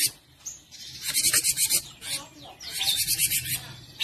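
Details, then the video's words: Cinereous tit kept as a model bird for training other songbirds, giving two bouts of harsh, rasping, high-pitched chatter notes in quick series, mixed with a few thin whistled notes, over a faint low background rumble. "burung gelatik batu gacor cocok buat masteran & pancingan burung"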